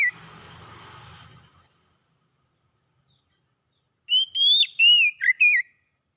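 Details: Oriental magpie-robin song for reviving a stalled singer: a low hum fades out, then after a pause one loud whistled phrase of rising notes, a long glide and quick dipping slurs.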